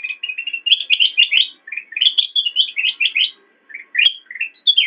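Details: Loud, continuous chattering song of a black-crested bulbul recorded to train cage birds, dense bright warbled notes tumbling together with brief gaps and a few rising whistles.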